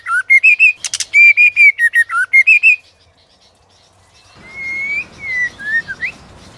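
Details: White-rumped shama singing in contest, urged on by a female, tail-flicking; a loud fast series of rich whistled notes, a silence, then a softer slurred whistled phrase.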